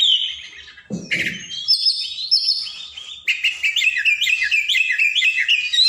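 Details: Oriental magpie-robin song in a long, energetic sequence of high whistled and slurred notes, shifting into a fast repeating pattern of rising chirps, with a brief lower rustling noise near the start.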